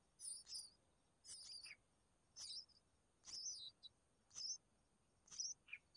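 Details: Red-whiskered bulbul chicks being fed by their mother give high, thin wavering squeaks in short clusters roughly once a second, some ending in a brief lower note, against a quiet background.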